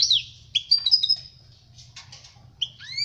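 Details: European goldfinch song meant for teaching young birds: scattered high twittering phrases with a slurred falling note, a brief buzzy rattle mid-way, and rising chirps at the close, separated by short silences over a low hum.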